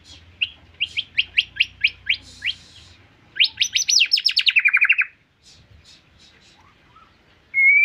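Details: White-rumped shama singing: a series of about eight sharp upslurred notes, then a rapid descending cascade of whistles, with a low hum in the background.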